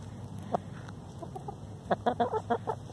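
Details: Free-range hen complaining, a sound the keeper links to disputes over laying nests: a single cluck, then a rapid burst of about eight short, clipped, mid-pitched clucks in the last second, over low background rumble.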